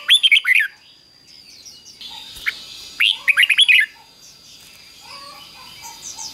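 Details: Red-whiskered bulbul singing a doubled song, played to young birds so they copy it: two short bursts of quick warbled, bubbling notes about three seconds apart, with softer chirps from other birds in between.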